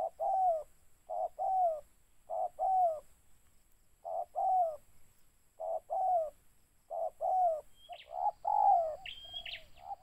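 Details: Spotted dove cooing at a mikat trapping site: a series of short-then-long falling coos, while near the end a higher chirping note from another bird joins in.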